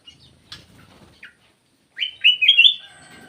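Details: Black-crested bulbul lure call. After soft scattered rustles and two brief clicks, a short, loud, warbling phrase of bubbling whistled notes rises and wavers for under a second, ending in a faint steady tone.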